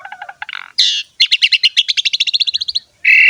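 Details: Asian pied starling singing, used to coax young starlings into song: stuttering chips, then a buzzy squeal, a fast even run of bright chirped notes, and a final harsh buzz.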